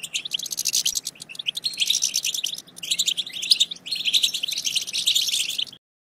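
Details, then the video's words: European goldfinch twittering song to stimulate goldfinches to sing: sustained dense trills and tinkling chirps in three long phrases with short breaks, then a sudden stop. "بتبتة ماهرة في تحفيز الحسون على التغريد"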